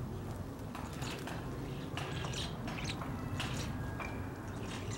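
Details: A large winter flock of common starlings feeding on fruit in an old sophora tree in Sudak, Crimea, chatters in a dense mix of clicks, rattles and short thin whistles over a steady low rumble.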